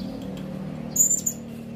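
A Blue-crowned Hanging Parrot gives a brief run of very high, thin, sharp whistled notes over a steady low hum.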